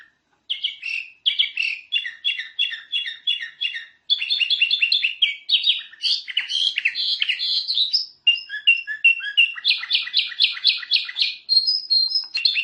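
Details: Caged canary singing a master song meant for training other canaries, a sweet, chirpy song of rapid repeated high notes, trills and rolling phrases, paused briefly twice, with no other sounds.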